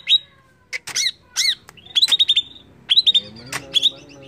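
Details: Greater green leafbird singing to provoke other birds: scattered harsh arched squawks, then quick runs of clear high chirps in short bursts, with a faint low hum underneath.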